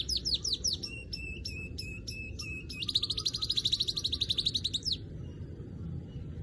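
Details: Weaver calling: a few falling chirps, a series of clipped high notes, then a sustained buzzy trill of very fast repeated notes lasting about two seconds before stopping abruptly.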